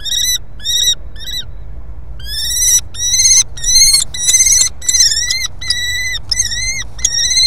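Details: Common kestrel at a nest in Brest, Belarus, on April 23, 2020, during a prey delivery: three short high notes, then about a dozen longer, thin, strained calls, some bending in pitch, over a low rumble.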